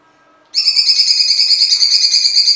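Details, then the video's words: Cucak cungkok giving a harsh, chatty song in an original recording: a sudden loud, rough trill of fast, even pulses that holds a steady pitch for two seconds. "Cungkok gacor jeda,materi full kasar original suara cungkok"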